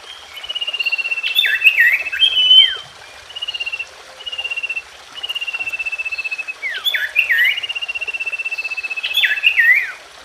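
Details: Common iora song played to get a silent iora singing again: long, even, rapid trills held on one pitch, broken by loud swooping, twisting whistled slurs, with short pauses between phrases.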